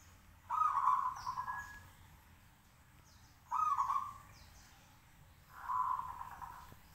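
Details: Caged local zebra dove singing to provoke others to answer; three rolling, purring coos near one pitch, each about a second long, spaced roughly every two to three seconds, with faint higher chirps from other birds.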